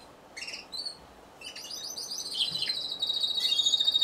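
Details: Timbrado Español canary at a November 2015 singing competition, category C2 individual: a few scattered chirps at first, then a rising rapid trill that grows louder and more sustained toward the end.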